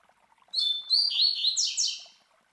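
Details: Tui Tui Zel Zel classic phrase from a master Double-collared Seedeater (Coleiro) kept in captivity for song tutoring; two ringing high whistles lead into lower slurred notes and a pair of quick falling sweeps.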